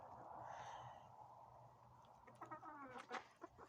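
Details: Ispenç rooster, hatched from an egg, crowing in short, choppy, broken bursts, harsh and ringing, after a man's voice fades out.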